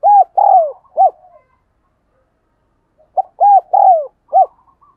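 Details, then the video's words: Spotted dove in thúc gù cooing, for training decoys and attracting wild doves: two quick phrases of four arched, hooting notes, each phrase with a longer descending third note, separated by about two seconds of quiet. "Tiếng Chim Cu Gáy Thúc Gù Dùng Tập Mồi, Bổi Nghe Xiêng Gáy"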